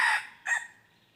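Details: Tail of a red junglefowl crow: a fading rough note and one short final syllable that trails off into quiet. Recorded during decoy-luring of wild junglefowl on 23 January 2022.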